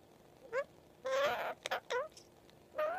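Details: Pet Indian ringneck parakeet talking and singing indoors: a few short nasal, harmonic-rich utterances with rising inflections, separated by pauses, against a quiet room hum.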